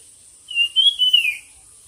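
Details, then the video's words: Singing bird in a song competition delivers a single whistled phrase of several linked notes that waver and then drop, with a faint steady high tone behind it. "suab noog quaj dib tuaj zoo 100% chim hót đấu"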